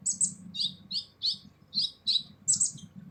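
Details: Purple-throated sunbird (kolibri ninja) singing a harsh full song used as a training recording for other songbirds: seven high, buzzy chirp bursts about every half second, with a faint low hum underneath.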